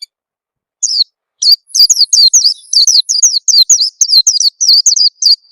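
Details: Oriental white-eye lure call, played to get newly kept birds singing quickly: after a short silence, a dense run of high, thin, downslurred chirps follows almost without pause for over four seconds.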